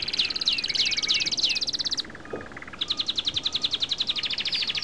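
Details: European goldfinch singing: a fast buzzy trill of rapid repeated notes with downward-curving slurs, a short pause, then a second high rattling run of quick notes.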